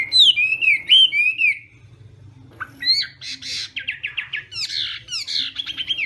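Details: Morning practice song of a Chinese hwamei in contest style: looping whistled phrases, a short quiet gap, then a burst of fast, buzzier repeated notes and rising whistles.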